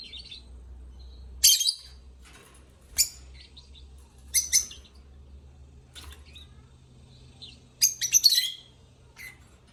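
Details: Singing lovebirds give sharp, scratchy high chirps spaced every one to two seconds, with a louder doubled burst near the end and faint squeaks between calls.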